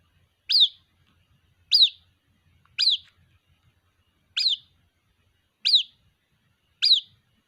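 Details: Six high, sharp, falling peeps from a white-breasted waterhen chick calling its mother, evenly spaced at a little over a second, in near silence.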